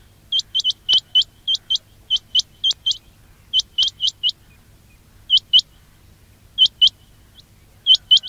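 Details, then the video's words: Quail trapping call: crisp, high, upward-curling chirps in quick bursts early on, then sparser pairs separated by longer silences, over a low background hum. "quail batair ki awaz"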